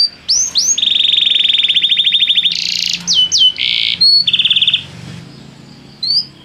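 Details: Canary song used in training to prompt another canary to sing: bright whistled upslurs, a long fast buzzy trill, then a sequence of short trilled and whistled phrases with harsh bursts between them.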